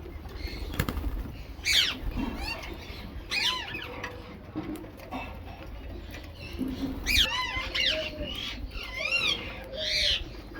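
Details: Rose-ringed parakeet at its mixed food, producing loud, arched, harmonic squawks at uneven intervals, some in quick pairs, over low background rumble and occasional soft tonal notes.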